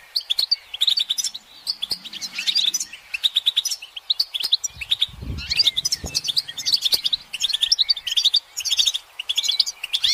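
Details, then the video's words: Massed European goldfinch twittering meant to rouse silent males into song. Overlapping rapid chirps, buzzy trills and sliding whistles fill the clip, with a brief low thump midway. "بتبتة الحسون تحفيز الحسون على التغريد والهيجان علاج صمت الحسون goldfinch stimulation"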